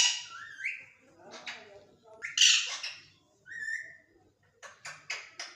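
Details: Pet Indian ringneck parakeet imitating a cat: harsh squawks, short rising whistled notes and bursts of speech-like chatter, with pauses between phrases.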